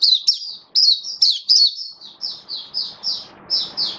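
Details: Oriental white-eye kept as a hobby songbird, performing its buka sing opening song: quick strings of high, slurred chirps, fast at first and then spaced more evenly, with faint room noise underneath.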